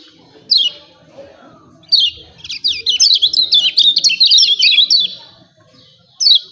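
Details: Lemon-bellied white-eye, or kecial kuning, in 'ciak ciak' style meant to provoke singing: a single high downslurred chirp, then a rapid jumbled chatter of bright notes for about three seconds, ending with one more chirp.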